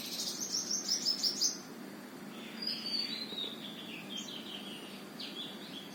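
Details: A sunbird at a house near Qutab Institutional Area, New Delhi, gives a quick run of five or six thin, high, sharp chirps, then softer scattered twittering notes over steady background hum.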